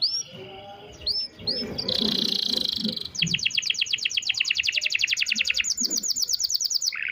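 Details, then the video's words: Canary singing in the nglemak style, used as therapy: a few looping whistles, then a buzzy burst, then a long fast rattling trill of rapidly repeated notes, with brief human voices in the background. "TERAPI KENARI NGLEMAK"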